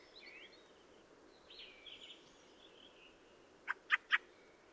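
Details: Fieldfare (Turdus pilaris) song with faint creaky, squealing warbled phrases, ending in three loud, quickly spaced harsh chack notes.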